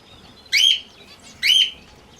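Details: Two loud, raspy, high chirps about a second apart from a sun conure playing with a ring.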